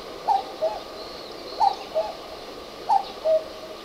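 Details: Perched atop a neighbourhood utility pole, a common cuckoo gives three measured cuck-oo phrases, each a higher note dropping to a lower one, spaced roughly 1.3 seconds apart over constant background hiss.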